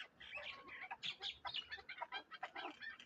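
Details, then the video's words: Darvoz chukar partridge kept tethered as a hunting decoy, Tojikobod district, Tajikistan; quick series of hoarse clucks and chattering notes coming in uneven bursts. "Кабки побанди"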